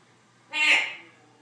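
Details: Pet Congo African grey parrot giving a single short harsh squawk, a bright burst lasting about half a second, with a faint low hum in the background.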